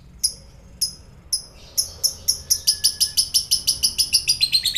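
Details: Lovebird chatter meant to provoke fighter lovebirds; three spaced high chirps, then a steady rapid series of sharp repeated notes.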